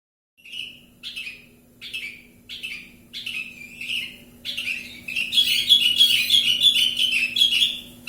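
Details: Javan bush lark, said to be in full, lively song in Kediri: a run of short buzzy chirps with falling tails, about three a second, building into a dense continuous twittering warble at the end; steady low hum underneath.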